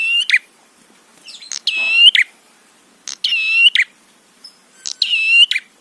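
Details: Prinia (prenjak) song used as a lure to provoke other prenjak into calling. Short, bright, buzzy phrases with stacked high notes and a clipped chirp at each end, repeated roughly every one and a half seconds in a quiet background.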